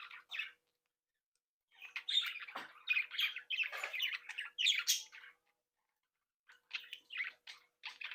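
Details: Captive breeding group of budgerigars with young chattering and playing: a short burst, a pause, then a loud run of warbled chirps and squawks, silence, and renewed quieter chirping.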